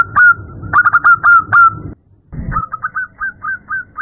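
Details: Female zebra dove calling to a male at night: quick series of short hooked cooing notes, a brief pause, then a softer run of evenly spaced coos, with a low rumbling background.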